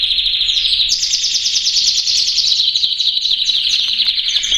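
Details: Harz Roller canary from a breeding pair of classic-song birds kept by a breeder in Paraná, Brazil: continuous high rolling trills and rapid pulsed tours without pause, with bright higher notes layered over the roll.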